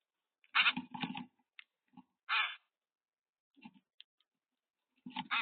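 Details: Boat-tailed grackle on a bird cam giving harsh, rasping bursts in uneven clusters, some short and clipped, others longer and grating, with brief silent gaps between.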